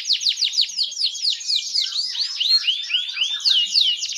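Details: Fan tail canary, offered as a song tutor for other canaries, delivering a run of swooping arched notes repeated several times a second, high and slurred throughout.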